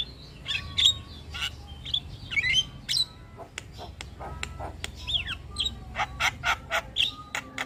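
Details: Javan myna in lively, persistent song that stirs other birds into calling: varied chirps, short whistles and sharp clicks, a burst of rapid harsh notes near the end.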